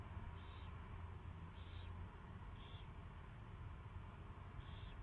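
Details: Recorded at an owl's first feeding, February 24, 2016, 2:15 PM: four short hoarse hissing calls spread over five seconds, set against a continuous low background drone.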